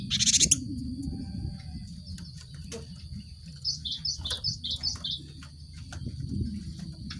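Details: Cinereous tit song serving as a lure for birds caged together: a brief harsh burst at the start, then a quiet stretch before a rapid series of about eight short high notes. A constant high whine and low rumble continue.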